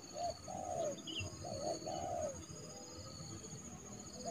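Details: Trained decoy spotted dove calling in a yard in January to lure a rival bird into a trap: several soft coos in quick succession over steady broadband background noise, with faint higher chirps.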